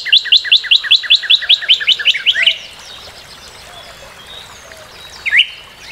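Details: Northern cardinal singing a fast series of about eleven short, clear, sharply slurred notes, evenly spaced, followed by a pause and one isolated higher note.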